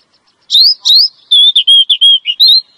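A female Oriental magpie-robin gives a quick run of clear, sweet whistled notes, some sliding upward, packed into under three seconds to attract a male.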